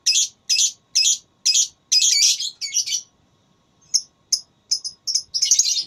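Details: Lovebird in a singing contest, ngekek style: a rapid run of rough, buzzy chirps, about two per second, then sharp short notes and a final dense trilled burst.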